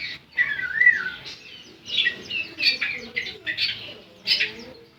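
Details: Javan sun-bird (ciblek) singing, described as semi gacor, in a fast jumble of high chirps and short twittering phrases in bursts, with brief pauses between them and faint lower background sounds.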